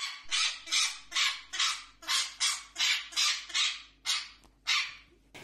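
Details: A pet female Pionus parrot screams in harsh, high, macaw-like squawks, about eleven rasping bursts in five seconds, steady and insistent, with a brief pause near the end.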